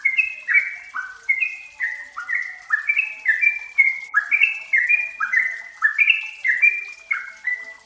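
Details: Trucukan, or yellow-vented bulbul, used as a lure so raw birds sing quickly: extended bubbly run of short notes hopping up and down in pitch, packed closely together for nearly eight seconds.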